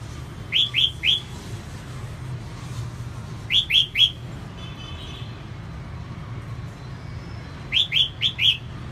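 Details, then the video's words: Female red-whiskered bulbul, kept as a cage bird, singing eagerly to excite and stimulate males: three short bursts of three or four bright, slurred whistled notes, the bursts spaced about three to four seconds apart over a steady low background hum. "CHÀO MÀO MÁI SIÊNG HOT KÍCH TRỐNG CĂNG LỬA"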